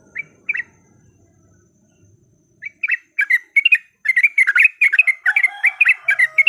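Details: Bulbul song used as a lure to trigger fighting song: two isolated chirps, near silence, then dense excited chattering from about three seconds onward, with a thin whistle behind it.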